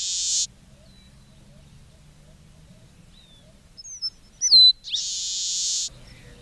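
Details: Leistes militaris song phrase: the tail of a harsh buzz, a quiet pause with faint low hum, then soft high chips, a sharp descending whistle and another long rasping buzz of about a second.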